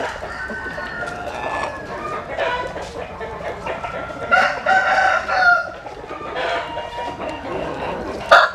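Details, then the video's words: Several roosters crowing at dawn as the flock sunbathes in early morning light; strained, harmonic crows overlap and alternate, the loudest bursts rising near the middle and a sharp call at the very end. "Tiếng Gáy Lúc Tinh Sương"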